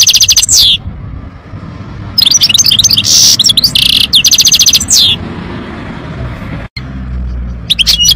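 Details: European goldfinch singing loudly in bursts of rapid, high, tinkling twitters and buzzy trills. The phrases come at the start, through a long stretch in the middle, and again at the end, separated by pauses with low background rumble.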